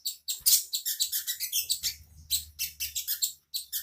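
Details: Unnamed songbird used as a master for training white-rumped shama and magpie-robin: bursts of quick, high, piercing chirps at a fast even tempo, broken by two short pauses, with a faint low hum beneath.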